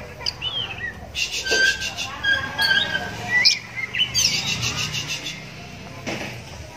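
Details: An oriental magpie-robin raised in captivity and blind in one eye calls out, with other magpie-robins answering. Scratchy chattering bursts mix with short high whistles and rasping notes. Background voices and rural noise run beneath.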